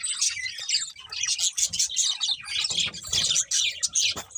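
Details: Budgies warbling as they feed: a crowded, continuous chatter of sharp high chirps and whistled squeaks, with soft low tapping underneath.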